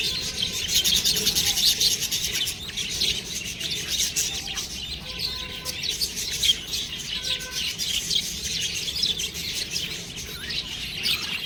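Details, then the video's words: Budgie chicks maintain a long, dense twittering chorus of rapid scratchy chirps, fairly even in loudness, with faint steady tones underneath. "budgies babies| cute birds| chirping sound"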